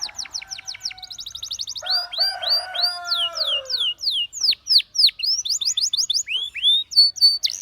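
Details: Canary singing to prompt other canaries to sing: fast rolled trills of high rising-falling notes, a lower harmonic warbling passage near the two-second mark, then sweeping downslurred whistles and quick repeated chips through to the end.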